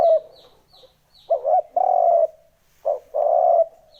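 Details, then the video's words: Lure recording of a spotted dove for attracting wild birds, with two-part coos of a brief bubbling note then a drawn-out hollow coo, repeated twice, and faint high chirps from another bird early on. "Âm thanh kích chim cu gáy mp3 mới nhất 2021! (Tiếng kích chim bổi)"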